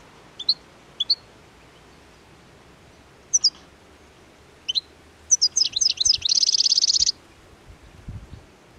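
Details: European goldfinches, hungry in the heart of winter, devouring plane tree seeds by the Anapodaris river, Garipa, 17 January 2021: scattered sharp high chips, then a tumbling twitter ending in a dry, fast buzzing trill.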